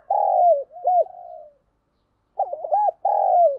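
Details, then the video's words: Spotted dove in a lure-style voice meant to excite rival males. Loud, mellow, drawn-out coos fall at their ends, with one short warbling note in between. A pause follows, then a quick burst of wavering coos and a long falling one. "tiếng cu gáy mồi giọng hạp bổi dùng kích bổi rất hiệu quả"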